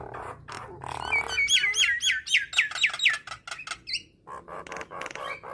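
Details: Nias hill myna song, said to trigger starlings into singing; a quick run of about nine looping whistled notes, evenly spaced, followed by a high rising whistle and softer clicking notes.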